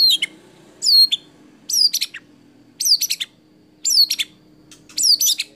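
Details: White-rumped shama singing a competition-style mimicry sequence: a clear whistled, swooping phrase with descending tails, repeated about once a second with short silences between.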